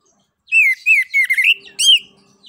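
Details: Open 'ngeplong' singing of an Orange-headed thrush meant to prompt other birds to sing: four to five rich, mid-pitched slurred whistles with bright harmonics, the last rising sharply, in a clean, quiet background.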